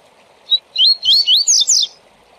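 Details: Double-collared seedeater, Tui Tui Zel Zel song for training tournament birds: one sharp whistle, then five loud looping slurred whistles in quick succession, rising and falling and growing buzzier toward the end.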